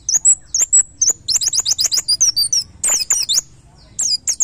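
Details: White-eye master song for training cage birds, played daily while birds are aired in the morning: dense, lively stream of very high slurred and zigzag notes, rapid chips with short gaps, high pitched throughout.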